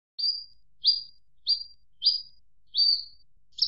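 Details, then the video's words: Javan bush lark delivering six short, bright chirps spaced about half a second apart, each slurring slightly upward, against otherwise quiet background. "Suara Kicau Burung Branjangan"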